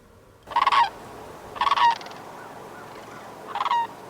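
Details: Sandhill Crane flight call: three loud, rolling, trumpeting bugles about one second apart, each rattling and rich in overtones, over a soft background hiss.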